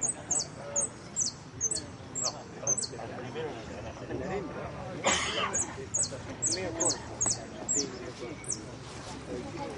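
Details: Caged jilguero in the Copa Federación singing contest, Blanco de Repique class. It gives very high, short, sharply falling notes in rapid series, pauses, then resumes, over steady background chatter and a cough.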